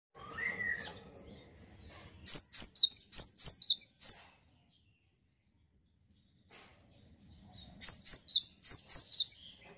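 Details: Male great tit singing energetically in two bursts of sharp, high two-note phrases, each alternating a higher and lower whistle about four times a second, separated by a long quiet pause. A faint lower chirp comes earlier.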